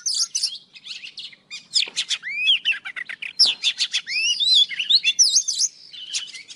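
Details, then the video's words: Old wild Oriental magpie-robin in morning song, used as lure audio: bursts of sharp clicks and buzzy notes mixed with sweet rising and falling whistles, the phrases repeating with short breaks and a soft steady hum behind. "Tiếng chòe than già rừng hót buổi sáng cực hay"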